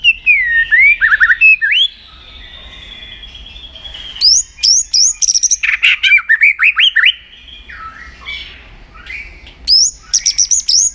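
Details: White-rumped shama singing in a voice-training recording meant to rouse the bird for contest singing: bursts of rapid, rich whistled notes and sharp high rising sweeps, with a thinner sustained phrase between loud sections and brief pauses.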